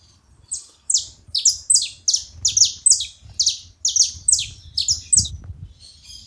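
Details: A group of saffron finches making noise together: steady series of bright, high downward-sweeping chirps, often doubled, repeated about every half second with a soft low hum underneath.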